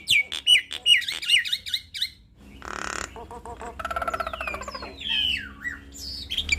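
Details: Jalak Nias (Nias hill myna), a kept bird singing eagerly and displaying its repertoire. Varied song of repeated high whistled notes, a harsh burst, buzzy trills and falling, sliding whistles.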